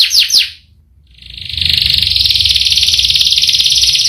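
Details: Canary in full song with long rolling trills: a few descending whistled notes, a short pause, then a dense high trill rolling steadily from about 1.5 seconds onward.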